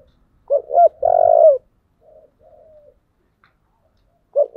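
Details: Spotted dove with a 'giọng thổ' voice, cooing to spur fighting: a short low coo, then a longer loud rolling coo, two soft quieter notes, a silence, and another coo starting at the end.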